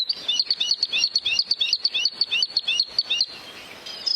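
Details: Bluethroat song of rapid, bright repeated notes in quick paired patterns, delivered in a steady stream for three seconds, then a brief quieter pause before a final note.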